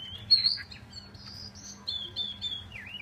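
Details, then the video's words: Chinese hwamei song of bright, high whistles, short steady notes alternating with slurred phrases, ending in a falling-then-rising slur. "chim họa mi"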